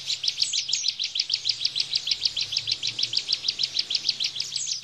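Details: Bar-winged prinia in the 'tembakan' bren style, used as a master recording to train caged white-eyes: a fast, even series of sharp high chirps, about six per second, over a faint low hum.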